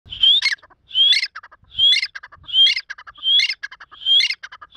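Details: An Irani (grey) fighter partridge (teetar), playing in high spirits, calls a harsh phrase about every 0.8 seconds: a high rising whistle, a grating burst, then a few quick clipped notes.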